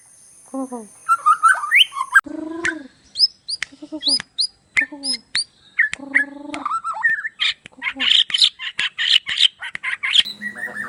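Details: White-crowned shama from Sabah, Borneo, showing off its action and voice: a varied mix of low harmonic notes, sharp high whistles and quick clicks, building into a dense rapid warbling chatter toward the end.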